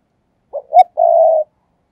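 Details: Spotted dove used as a lure, cooing in thúc gù style: a soft double lead-in followed by a drawn-out, level, mellow coo, with nothing else audible.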